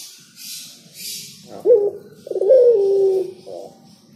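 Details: A single cooing phrase from a spotted dove: a short rising coo, then a sustained hoarse note that drifts downward, preceded by bursts of high rustling noise.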